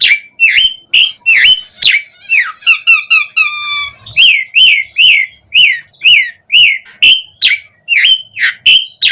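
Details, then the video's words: Asian pied starling song used as a lure to prompt other starlings to respond and sing: loud whistled notes around two to three kilohertz with harsh buzzy strokes, then a steady run of rising-falling whistles about two per second. "Pancingan Jalak Suren Gacor Memancing Suara Burung Jalak Biar cpt Respon NYAUT ikut Gacor Full Isian"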